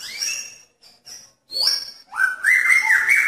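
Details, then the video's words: Male magpie-robin calling to a female in a pairing cage, mixing thin high notes and an upward sweep into a sustained whistled phrase that steps up in pitch. "Murai Jantan Menarik Perhatian Murai Betina dalam Kandang Jodohan"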